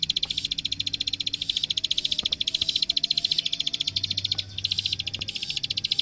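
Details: Plain prinia master song for tutoring young birds: a continuous fast series of bright, high clicking notes, very regular and pulsing, over a faint low hum and a thin tone.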